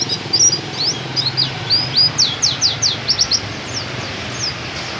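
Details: Pleci dakun, an Oriental white-eye, delivering tembakan kenari canary-style song: rapid bursts of high, steeply falling and rising squeaky notes, about two per second, fading near the end against faint low rumble.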